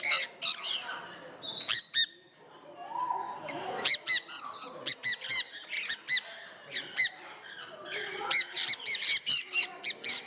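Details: Parrots kept at a parrot house in Gdańsk, Poland, giving a steady stream of short, harsh, rasping squawks in clustered bursts, several birds calling over one another, with faint voices of people in the background.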